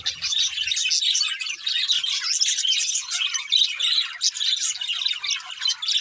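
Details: A pet budgerigar pair chirping in constant, buzzy, rapid chatter with scratchy warbles and sharp squeaks, a faint low rumble only in the opening moment.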